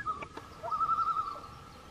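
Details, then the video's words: At Silver Lake, Vermont, a loon parent calls while its chick eats a fish: a long, steady, slightly wavering note held over a second, preceded by a couple of faint clicks; loon. "Loon Chicks eating fish parents calling"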